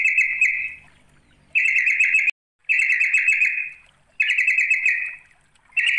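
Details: Sooty-headed bulbul calling to a rival, giving steady buzzy bursts of about a second each. Four bursts come in six seconds, separated by short silences.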